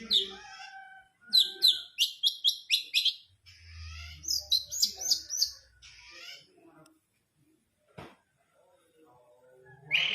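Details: Long-tailed shrike in lively full-voiced song packed with rapid shot-like bursts and fill-in phrases, kept as a master recording for contest birds: rapid, high chattering notes in dense clusters, then quieter scattered twittering with a low hum.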